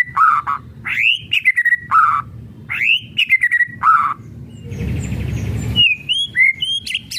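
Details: White-rumped shama kretekan song as a lure: a lower burry note then rising-falling whistle, repeated three times, then a noisy buzzing passage and a few scattered high whistles.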